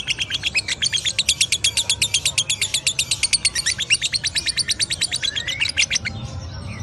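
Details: A lovebird sings ngekek, a long rapid series of sharp, metallic chirps at a steady fast pace, over a low background hum, ending with a short rising whistle.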